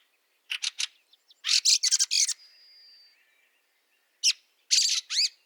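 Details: Fieldfare in snow, Liepāja, Latvia, March 2023, gives three short chacks, then a long harsh rattling burst followed by a thin drawn-out whistle. Later come a single chack and a final burst with curved squeaky notes.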